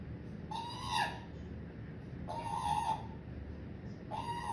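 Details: Pet parrot calling indoors: three drawn-out, nasal harmonic notes, each about half a second long, spaced roughly every one and a half to two seconds, over a low steady room hum.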